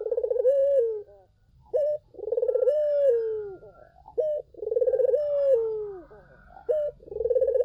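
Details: Collared dove calling as a lure for other doves, repeating a pattern about every two and a half seconds: a brief sharp coo followed by a long throbbing, trembling coo that falls slightly at its end.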